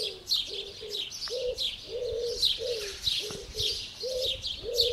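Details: A common wood pigeon coos on a pigsty roof on 5 June 2022, soft deep hooting coos about two per second, over busy, bright chirping from house sparrows.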